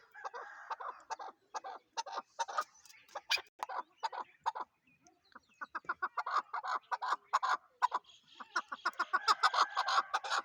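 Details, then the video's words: Chukar partridge in a fast, excited chuk-chuk-chuk run, more than two notes per second, building into dense rattling bursts toward the end. "chakor# ki# awaz"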